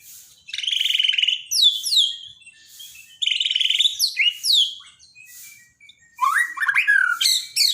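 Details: White-rumped shama song used for daily training, recorded in Borneo: buzzy trilled phrases followed by rapid high descending whistles, repeated in bursts separated by short pauses, with a varied sweeping final phrase.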